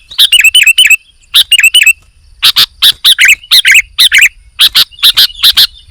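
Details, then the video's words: Sooty-headed bulbul singing actively in a training recording: two quick runs of downward-sliding whistled notes, a short silence, then a busy series of bright chirps. "KUTILANG GACOR"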